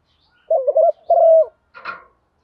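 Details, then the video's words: Spotted dove used as a decoy, cooing in the morning to lure wild doves: a low, rolling two-part coo, a stuttering note then a long, falling one, followed by a brief, rougher burst. "tiếng chim cu gáy mồi gáy gọi buổi sáng/ chim cu cườm gáy gọi, cu gáy chiêu bổi"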